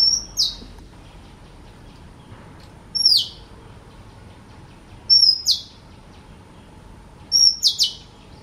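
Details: Oriental magpie-robin song: short, very high, sharp whistled phrases of one to three notes, spaced about two seconds apart, over a low steady background rumble.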